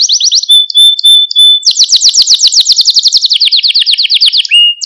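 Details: Canary song prepared as a training recording for young canaries, meant to excite and stimulate them; rapid high trills, a steady whistled note, then a long fast rolling trill stepping down in pitch, ending on a short whistle.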